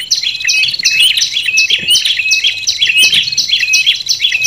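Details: Combined olive-backed and red-headed tailorbird lure calls for drawing in wild tailorbirds: insistent shrill chirps about eighty per minute, interleaved with thin whistled notes from overlapping birds.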